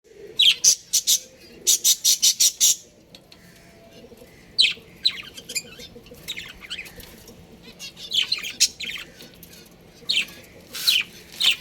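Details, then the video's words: Breeding pair of pet budgerigars chirping: rapid bursts of bright, high chirps in quick stuttering series, with short gaps of quiet between clusters and a faint low hum underneath. "Adorable Budgies Chirping Sounds"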